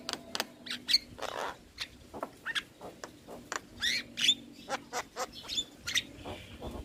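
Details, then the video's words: Starling training recording for young birds: harsh, scratchy notes and clicks repeated in quick succession, mixed with a few short whistles and squeaks. "Masteran Burung Jalak Muda / Jalak Malas Bunyi Rutin Putarkan Agar Jalak Jadi Gacor"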